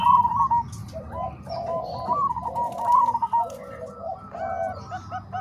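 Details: Zebra doves singing a blend of Bangkok and Cemani Kolbuntet song styles, used as training song for other doves: soft stuttering coos in short rolling phrases, several birds overlapping, over a low steady hum.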